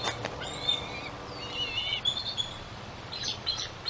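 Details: Young bald eagle about 11 weeks old at the Decorah nest on June 24, 2023, on the day it first branched off the nest, caught by nest camera: thin high whistled notes in short, slightly falling series, with outdoor background noise.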